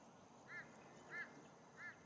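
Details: Little Corella x Long-billed Corella hybrids squawking in a tree by a lagoon at Hinterland Regional Park, Gold Coast, Australia: three short, nasal squawks, one about every two-thirds of a second, over a quiet outdoor background.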